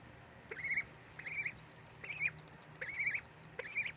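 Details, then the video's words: Baby ducks give a run of clear, slightly rising peeps, five in four seconds at a fairly even pace, over a quiet low hum. "The Baby Ducky Peeps"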